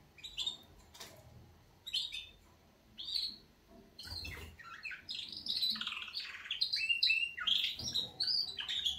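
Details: Morning wake-up song of canaries: scattered high chirps at first, then a dense, rapid flow of varied warbles and trills that keeps building toward the end.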